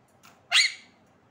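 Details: Pet parrot kept indoors gives one short, harsh, rasping squawk lasting about a third of a second, with a fainter rustle just before it and a quiet room otherwise.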